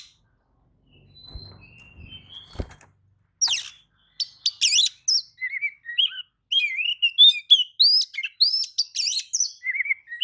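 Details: Oriental magpie-robin singing in response to another magpie-robin's song, apparently agitated. After a few seconds of near silence and a low thump, rapid varied whistled notes and sharp chirps tumble out in dense, high-pitched phrases.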